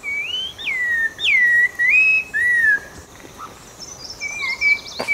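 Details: Outdoors on southern Vietnam's Langbian Plateau, an orange-breasted laughingthrush gives clear, sweeping whistles: a rising-falling slur, drops and level notes, then softer wavering whistles. Faint rustling and a sharp knock are heard at the end.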